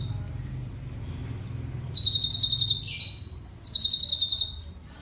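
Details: High, rapid pulsed trills from a Cucak cungkok, a tutor bird for caged songbirds, two bursts after a quiet start, with a harsher rushing note between them and low background noise.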